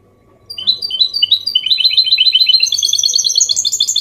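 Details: After a short silence, a goldfinch hybrid starts its Copia Málaga song, used to stimulate males and tutor chicks: spaced chirps speed into a dense, rising, glittering twitter that climbs higher toward the end.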